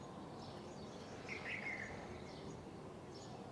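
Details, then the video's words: Morning birdsong: a short cluster of high chirps and twitters rises out of constant low rumbling noise, with a few faint, thin calls before and after. "birds in the morning singing"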